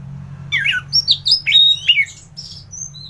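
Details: Singing orange-headed thrush in energetic 'gacoran' style, a training recording for other thrushes: a rapid jumble of varied whistles and slurred notes jumping between low and very high pitches, ending with thin high whistles, steady low hum behind.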